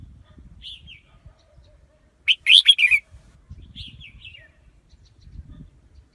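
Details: Decoy Red-whiskered bulbul, used for luring wild birds into traps, sings one loud rapid burst of five bright notes, framed by two faint, distant whistled phrases and soft low rustling.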